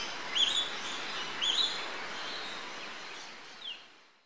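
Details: A Yellow Honeyeater at Port Douglas, Queensland, Australia, on 20 October 2013, gives two brief, clear whistled notes about a second apart, over a steady high hiss of background noise.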